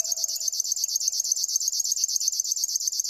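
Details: High, pulsing, mechanical song of a river warbler, rapid regular buzzes at about ten a second, with a faint low hum at the start.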